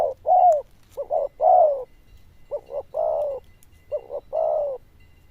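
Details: Loud, bell-toned cooing of a zebra dove. Three phrases each pair quick clipped notes with a longer rolling coo, spaced about a second apart over soft hum.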